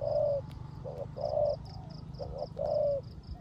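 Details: Caged decoy spotted dove performing 'rước gù' cooing during rain: three mellow, slightly falling coos separated by brief clipped notes, with rain hiss below and a pulsing high buzz above.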